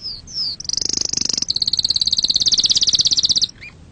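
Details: Canary song for teaching young canaries: two sliding whistles lead into a dense high rolling trill lasting about three seconds, then a quiet chirp.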